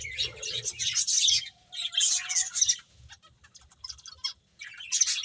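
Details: Finches at their food give clusters of sharp, high chirps and thin whistled notes in short bursts, with quieter gaps between, over soft low tapping.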